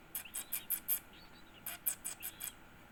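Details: A one-week-old yellow-vented bulbul chick begs during feeding with harsh, hissy rasps, about five per second, in two bursts separated by a short pause.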